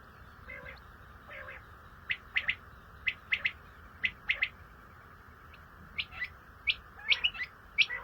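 Common quail giving sharp, liquid three-note 'wet-my-lips' calls, repeated every second or so, with a few soft low notes between phrases over a steady faint hiss.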